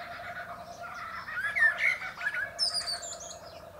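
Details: Common Blackbird singing atop a pear tree gives a mellow, warbled phrase ending in a high, thin twitter. A steady hum runs underneath.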